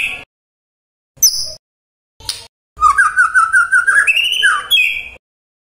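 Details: Magpie-robin voice meant to stir other magpie-robins into answering: a few isolated sharp notes, then a fast, rising, chattering warble of whistled notes.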